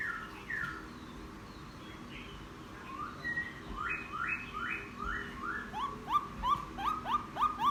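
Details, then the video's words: Caged wild-caught laughingthrush ten days into captivity, singing a chattering song outdoors: a string of clear whistled notes, each swooping downward, repeated about three per second and growing louder toward the end. "Khướu bổi hót gió ( chuyện kích bổi hót cực sung"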